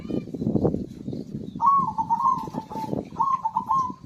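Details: Zebra dove, played to prompt silent birds to sing, gives a rapid bubbling coo phrase after a noisy opening, then a second quick trilled phrase, with low rumbling noise throughout.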